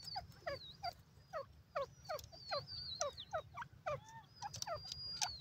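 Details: White francolin voice: rapid repeated falling notes, roughly two to three a second, while other birds whistle higher, wavering and sliding phrases over a low background hum.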